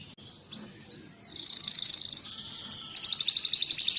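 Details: Canary song meant to prompt lazy canaries into singing: a few soft opening chirps, then a dense buzzy trill followed by a fast, evenly pulsed rolling trill.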